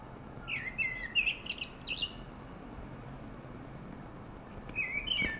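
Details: Thrush singing: a burst of clear, high whistled notes with quick slurred twists and sharp chips over about two seconds, then a pause under steady background hiss and another short whistled phrase near the end.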